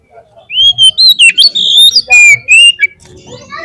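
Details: Oriental magpie-robin lure song to provoke singing at a contest field. Long clear whistles slide up and down, broken by a harsh buzzy rattle, then a soft twittering tail.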